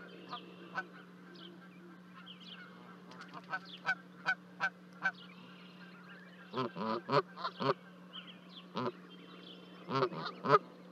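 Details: Canada geese at Charlo, Montana, 12 May 2020, as two goslings leap from a 30-foot-high osprey nest to join their parents; scattered harsh honks and sharp clicks, clustering in bursts later on, over a steady low hum.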